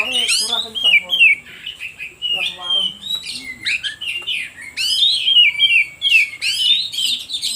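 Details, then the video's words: Oriental magpie-robin singing as a lure for other birds: varied whistled and sweeping warbles, with a lower harmonic chattering sound underneath in places. "Suara Pancingan Kacer Paling Ampuh"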